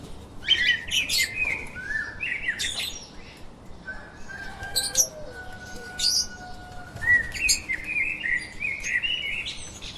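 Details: Lovebirds chirping and chattering, with busy buzzy squeaks, long level whistled notes and sharp clicks, possibly with some wing flutter.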